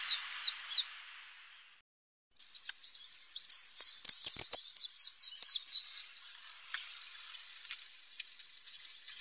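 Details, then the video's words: Wild white-eye (Zosteropidae) singing a quick string of high, thin, slurred chirps with brief gaps, over a steady faint high-pitched hiss in the background. "Burung Kacamata Di Alam Liar"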